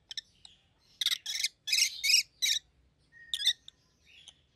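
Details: Rosy-faced lovebird pair, a yellow and a green bird with red heads, in loud harsh screechy chatter, several broad shrill bursts in quick succession followed by softer squeaks.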